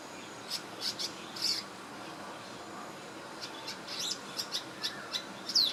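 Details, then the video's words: In Singapore, 2017, a swiftlet-like bird preens and gives spaced high chirps, a pause, then a string of brief ticking notes and a final rising squeaky call. "Cute Swiftlet-like Bird Chirping (Sound) & Preening"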